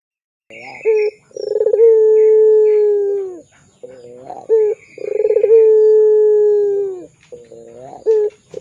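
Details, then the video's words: Pelung-style Barbary dove cooing, a lure for tutoring young birds: two long sustained hooting coos, each opened by a brief rising note and a rolling stutter and sliding down at the close, with short notes between. "SUARA PANCINGAN BURUNG PUTER PELUNG GACOR"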